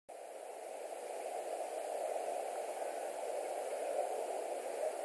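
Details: Steady hissing static with a low broadband rush and no animal calls, starting abruptly after a brief silence.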